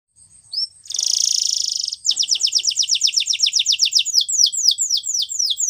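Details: Canary training song: a brief whistled upslur, a dense buzzing trill for about a second, then a long run of sharp descending chip notes repeated about four times per second, slowing toward the end.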